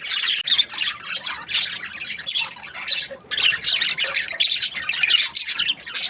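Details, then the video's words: Cheerful budgies giving pulsing bursts of harsh, squawky chirps and warbles, each burst lasting about half a second, separated by short gaps. "Happy budgies chirping sounds"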